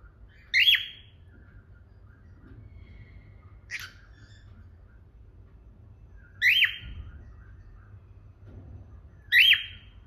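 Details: Pet cockatiel pair in India singing: loud whistled calls with a sharp up-down sweep, repeated about every three seconds, with a fainter note between, over low steady hum.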